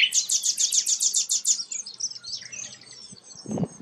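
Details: Sikatan londo flycatcher singing energetically: a fast run of about eight buzzy high notes repeated rapidly, then softer trailing twitters and a brief low thump near the end.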